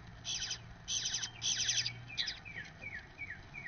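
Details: Male Eastern bluebird feeding a nestling from his first clutch, recorded at a nest camera: three bursts of rapid, high, scratchy chirps, then a string of short down-slurred notes about every half second over a faint low hum.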